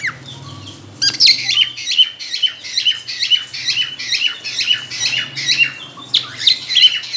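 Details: Cockatiel whistling when ready to breed, indoors: a steady series of short, bright chirped whistles repeated about twice a second, with faint low hum underneath.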